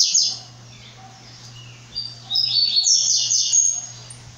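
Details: Brown-plumaged blue-black grassquit giving high, buzzy, fizzing song phrases, a short one at the start and a longer one after two seconds, over a steady low electrical hum.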